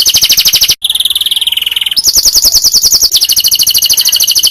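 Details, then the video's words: Tutor song of a canary, used for teaching other canaries: long rapid high trills in steady pulses, switching abruptly to a lower rolling trill and back to a bright, fast, even roll. "Coba Masteri Burung Kenari Anda Dengan Burung Kenari Ini"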